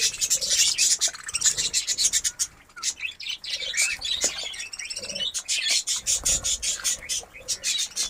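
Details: Many budgerigars of a new breeding colony in Darbhanga, Bihar, keep up a dense, high chirping twitter full of sharp clicks and short squeaks, with a brief lull near the middle.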